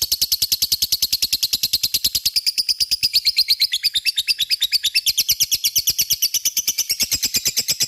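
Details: A lovebird's ngekek, a continuous chattering song used to provoke other lovebirds into answering; very quick buzzy high pulses in an unbroken trill, pitch wavering slightly up and down throughout.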